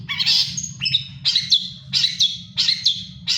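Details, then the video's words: Moulting long-tailed shrike in full song, giving harsh, scratchy high notes, each paired with a sharper chip, repeated about every half second over a constant low hum. "cendet mabung tetap gacor"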